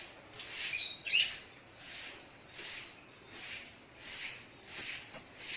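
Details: Spiderhunter, called sogok ontong locally, singing in the morning: a steady run of high, thin, slurred notes, about two or three each second, with two sharper, louder chips near the end.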